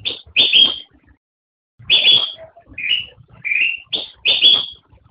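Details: A black-crested bulbul, known as kutilang emas, gives loud bright high notes, then a pair of lower rising whistles and another pair of strong high notes, with a short gap between groups.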